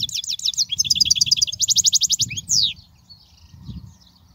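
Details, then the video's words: European goldfinch song used for teaching young goldfinches: quick run of twittering high notes, then a rapid evenly repeated trill and a falling buzzy note, fading to faint low background rumble. "تغريد الحسون"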